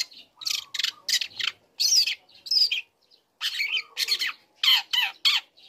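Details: Young long-tailed shrike singing a lure song meant to provoke other shrikes into answering: harsh, broadband scratchy notes in quick bursts, with a few sharper whistled slurs, separated by short pauses.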